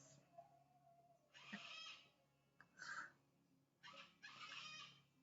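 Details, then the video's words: A pet white cockatoo, responding indoors during a spoken reading, gives harsh, raspy screeches in four bursts over about four seconds, each lasting half a second or longer, over a quiet room hum. "you can hear that. That's my cockatoo who has responded. So"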